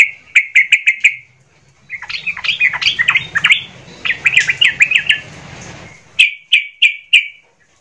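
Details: Agitated sooty-headed bulbul song meant to provoke rival bulbuls: a quick burst of five bright notes, then a dense, scratchy warbled stretch over a low steady hum, ending with four more clipped notes.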